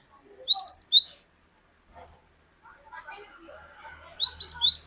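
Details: Cinereous tit, a lively untrained bird singing as a lure for other birds, long 'wucit wucit' song. Groups of three sharp high whistles open and close the passage, with soft rustling and chatter between.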